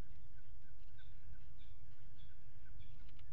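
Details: Peregrine falcons at a water-tower nest box in Axel, Netherlands, mating on the ledge, 5 February 2018; faint, short, sharp notes repeated about every half second under a constant low hum.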